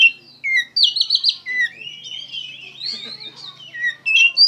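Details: Oriental magpie-robin in vigorous, emotional song: a quick series of high trilled notes, then slurred warbling whistles and sharp upward flicks, over a faint low hum.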